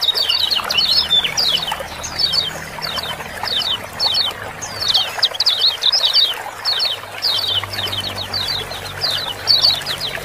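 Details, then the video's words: Lemon-bellied white-eye (kecial kuning) ciak-ciak calls, used as a lure to start lazy or silent birds singing. Quick, sharp, high chirps come in short doubled and tripled bursts almost nonstop over a steady trickling-water background. "Ciak-ciak jos super rame paling cepat bikin kecial kuning gacor"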